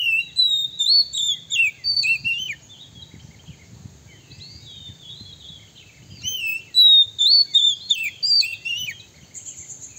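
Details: Lure song of a male Oriental magpie-robin, said to provoke rival males: fast runs of sweet whistles and twisting slurred notes in two bursts, with a brief high trill at the end and faint ambient noise.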